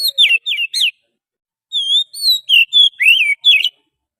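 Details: Oriental magpie-robin wild forest song used to lure birds: sharp down-sliding whistles, a short pause, then a varied phrase of level, rising and falling whistled notes.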